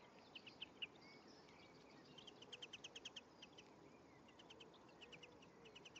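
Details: European greenfinch male and female interacting at the nest as an egg hatches, May; short series of quick high chirps and twitters, a run of about eight notes in the middle, over constant faint hiss.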